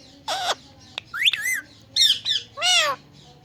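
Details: Indian ringneck parakeet, a pet talking and dancing on a plant; a series of short harsh squawks and rising-falling nasal mimicked phrases, separated by brief pauses, indoors.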